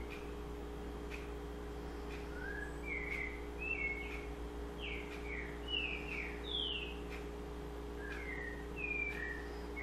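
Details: White-necked thrush from Pernambuco singing: clear whistled notes, some slurred down, others rising, spaced irregularly in short phrases over a steady low electrical hum.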